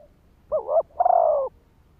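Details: Spotted dove cooing as a decoy bird, a call used to lure and provoke wild males. One low, hollow two-part phrase: a short wavering double note, then a longer sustained coo that drifts slightly downward.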